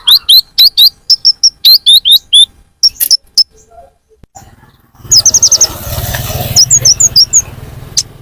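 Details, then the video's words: Sunbird calls played as a bird-attracting lure: quick bursts of thin, high upward-sweeping chirps, a short pause, then more chirps over a rushing, noisy background. "suara pikat burung Kolibri ninja"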